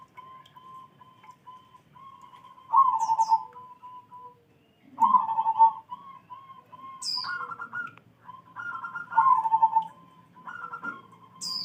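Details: Zebra dove singing in the morning: low, rolling trilled coos on a steady pitch, given in loud bursts every two to three seconds with softer cooing between, plus brief thin high chirps from another bird.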